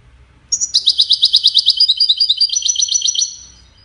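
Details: Goldfinch courtship and communication song: a brief high lead-in note, then a long, quick trill of about twenty-two bright, metallic repeated notes. The trill fades gently over nearly three seconds in quiet surroundings.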